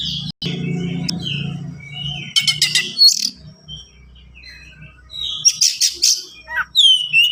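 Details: White-rumped shama, a kept songbird, giving sharp rattles, buzzy bursts and short whistles in rapid varied phrases after an opening of low humming noise; the song ends on a falling whistle.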